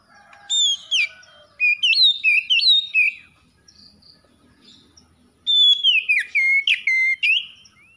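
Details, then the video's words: Two bursts of loud magpie-robin song from a caged bird: bright whistles stepping up and down in quick succession, separated by a few seconds of near silence with faint chirping. "KACER SETRES MACET BUNYI LANGSUNG GACOR"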